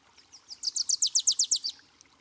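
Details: A Wilson's warbler in Washington State, a summer breeding visitor, sings a quick, dry string of about nine high chips delivered evenly over a second and sliding slightly lower in pitch, over faint background hiss.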